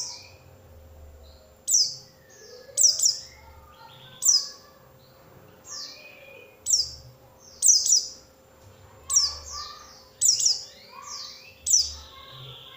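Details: Oriental white-eye sound used as a lure to draw song from other white-eyes: high, down-slurred chirps, often in doublets, repeated irregularly about every second, with faint lower twittering notes between them.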